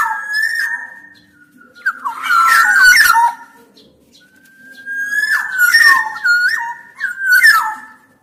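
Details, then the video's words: Rich whistled phrases of a black-naped oriole, sliding and dropping notes mixed with raspy harsh bursts, two main phrase groups with a pause between, and a low indoor hum. "Kepodang emas gacor"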